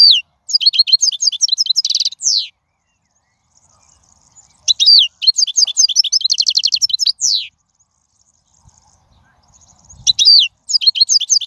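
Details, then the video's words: Wild European goldfinch singing, meant for young birds to learn: three phrases of fast tinkling twitters and buzzy trills with downward slurs, separated by quiet pauses. "من أقوى اغاني | طائر الحسون | البرية"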